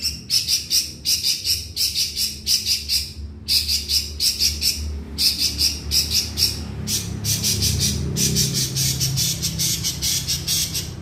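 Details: Long-tailed shrike singing vigorously in the field: rapid runs of harsh, scratchy, buzzy bursts repeated in quick series, with a brief pause near the middle, over a low background rumble.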